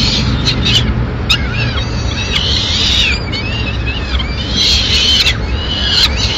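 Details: Nest of Peregrine falcons in Madrid, recorded 29 April 2016 while the mother arrives with food for the chicks. Repeated shrill, bending squeals come in clusters with brief gaps, backed by a constant low hum and occasional clicks.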